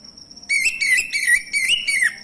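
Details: A male orange-headed thrush sings a continuous, wavering warble of linked whistled notes after a brief silence, used as a lure to make other thrushes start singing.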